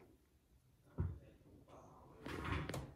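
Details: Indoor knocks and a sliding door or drawer being opened and shut in a small room, with a loud thump at one second and rattling near the end; no animal voice is heard.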